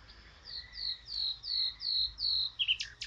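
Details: Eurasian blackcap: a clear series of about seven high, slightly falling whistled notes spaced evenly, followed by a few quick sharp notes at the end; quiet background.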